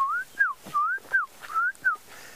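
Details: Klaas's cuckoo calling not far away as the sun comes out after a night of rain, amid a busy dawn chorus: clear, sweet whistles in quick pairs, one note rising and the next falling, three pairs in about two seconds.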